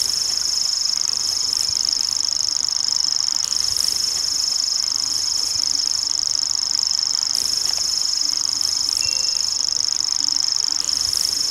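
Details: A wild common grasshopper warbler keeps up its high, even, rattling reel without a break, and a brief faint whistle from another bird appears partway through.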